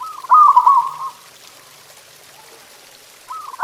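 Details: Local zebra dove singing as a training recording for pet doves: one short burst of quick, warbling coos, then quiet before the next phrase begins at the end.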